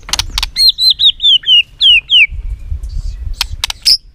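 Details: Fighting song of a white-rumped shama used to train and stimulate birds: sharp clicks, then a series of about eight bright falling whistled notes, each slightly lower, followed by scattered clicks and a high chip.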